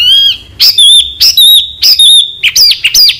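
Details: Masteran recording of white-rumped shama song, said to make champion contest birds: loud, high whistled phrases with squeaky flourishes, about five bursts separated by short gaps, with each phrase slurring up and down.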